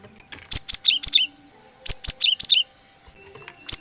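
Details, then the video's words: Cinereous tit lure call for attracting wild birds to trap: two clusters of clipped, high chirps, each ending in lower, slurred notes, then one final chirp. A faint continuous high tone sits in the background. "suara Gelatik Batu Pikat sangat Baik Untuk Mikat Burung Gelatik Liar"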